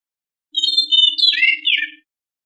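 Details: Singing white-rumped shama used as a lure for other birds: long pure whistles break into a quick buzzy, descending warble that stops after about one and a half seconds, with a low steady hum beneath.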